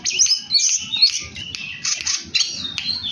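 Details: Oriental magpie-robin kept as a house bird, singing in a lively, varied, fast style: dense run of high chirps, trills and short whistles, densely packed with mimicked notes, a quiet low rumble underneath throughout.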